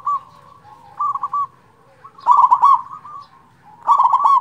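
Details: Local zebra dove song meant to provoke and excite silent or stressed zebra doves into singing: fast rolling coo bursts, a softer phrase then two loud stuttering trills separated by pauses, steady low background hum.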